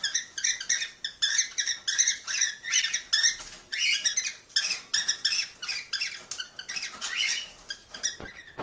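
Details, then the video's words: Cockatiel call meant to encourage mating: a continuous run of harsh, grating notes, several each second, rising and falling in loudness, with a few faint clicks in the background. "تحفيز طيور الكوكتيل على التزاوج - تزاوج طائر الكوكتيل - أقوى صوت تحفيز"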